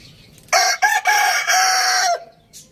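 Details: Rooster on a village farm crowing once, a loud harmonic cock-a-doodle-doo lasting about one and a half seconds, broken into short opening notes and a long held final note, with quiet background.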